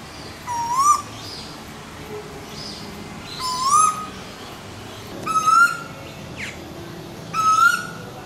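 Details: Wild swamphens, two chicks with their parents, nesting in a turtle exhibit at a theme park on the Gold Coast, Queensland, Australia; four short, rising whistled notes, each about two seconds apart, over a murmur of background noise.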